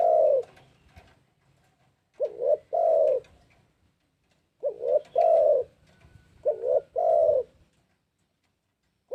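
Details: Spotted dove giving a lure call, with repeated low hollow coo phrases every couple of seconds. Each phrase is short doubled notes leading into a drawn-out coo, with a quiet background.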